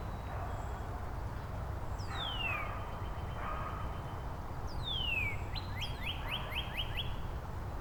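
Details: Northern Cardinals in Angrignon Park answer one another with song variants. A clear whistled downslur is followed by a second one that leads into five or six rising slurred notes. Faint thin high notes sit above, with a low background rumble.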